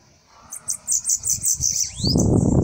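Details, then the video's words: Sibite song: a run of about nine quick, high, sharp notes, then a rising-falling whistled sweep, followed by loud low rumbling noise. "Sibite cantando"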